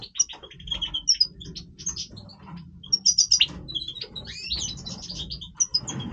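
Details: Goldfinch, Major type, in breeding song: high twittering chirps and quick tinkling trills, louder clustered bursts in the middle and toward the end, a few rising notes, over steady low background noise.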